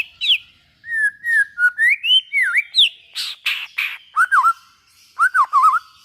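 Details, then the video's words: Song of a white-rumped shama (murai batu), used to spur other shamas into singing: varied loud whistles rising and falling, with V-shaped slurs, harsh buzzy notes and quick chattering phrases in a clean, quiet setting. "suara burung murai batu buat merangsang bunyi murai batu"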